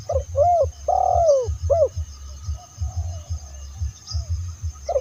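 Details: Spotted dove calling, used to lure other spotted doves: a phrase of short arched coos and one long drawn-out coo, then a single coo near the end, over steady low rhythmic thumping.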